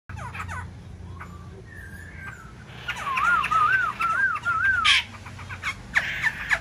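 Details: Caged black-throated laughingthrush singing while fanning its wings and tail: scattered short notes give way to a loud, wavering run of linked whistles in the middle, ending with a few sharper high notes.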